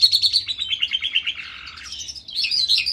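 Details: Skylark song in a ravine opens with a quick, regular trill of repeated notes, about three per second, then turns into fluid, high twittering warbles.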